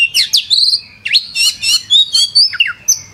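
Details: Oriental magpie-robin in full song: loud, varied phrases of rising and falling whistles, quick sweeps and buzzy notes, delivered in bursts separated by short pauses, with steady low background hum.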